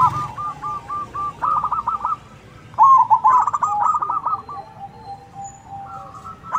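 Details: Zebra doves answering each other, a big-voiced singer among local birds: long chains of rapid arched coos, several phrases overlapping, with quieter stretches between them and faint distant coos beneath.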